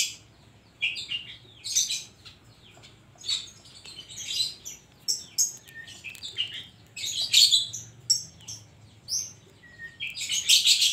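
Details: Oriental magpie-robin singing continuously with imitated phrases: a varied jumble of harsh buzzy bursts, sharp chips and brief pure whistles, rising in intensity toward the end, in a quiet setting.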